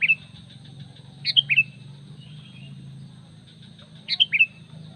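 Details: Calling sooty-headed bulbul used as a lure for other bulbuls, short bright phrases of two or three whistled notes falling in pitch, heard three times over a low hum.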